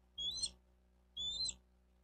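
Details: Bald eagle at a Miami-Dade County, Florida nest, camera recording June 4, 2023, 12:35; two separate high, thin whistled notes about one second apart, each a brief rising slur.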